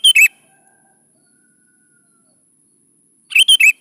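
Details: Sooty-headed bulbul song used as a lure to get young bulbuls to answer and sing: two short bursts of bright, warbling notes, one at the start and a three-note phrase near the end, separated by silence.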